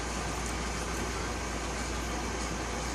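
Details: Loud, constant engine-like roar filling the whole recording, with no animal call heard.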